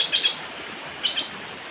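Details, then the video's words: Young merbah lekir bulbul giving two bright, high chirped double notes about a second apart, each a quick pair of sharp tweets, over a faint hiss. "merbah lekir otai muda"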